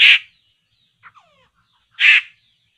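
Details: Laughingthrush, called poksay, heard while being lured into traps: two loud coarse rasping bursts two seconds apart, with a couple of faint thin notes in between.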